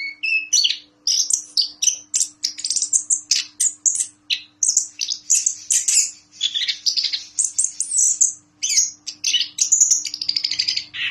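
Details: Prize-winning orange-headed thrush in captivity, a former President's Cup champion in Yogyakarta, singing an energetic stream of high whistled notes, sweeping slurs and buzzy chatter, phrases following each other rapidly with a faint background hum.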